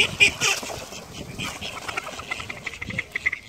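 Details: Call ducks in flight giving a few short, harsh quacks near the start, then fainter scattered calls over a low rushing background.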